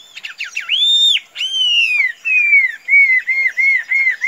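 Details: Chinese hwamei, a tame loose-kept bird, gives long pure whistles that bend up and glide down, then a string of short repeated whistled notes about four per second.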